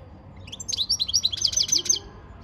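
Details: European goldfinch doing song training, delivering a fast, liquid twitter of high, chirping notes repeated in a tight rhythmic sequence over about a second and a half.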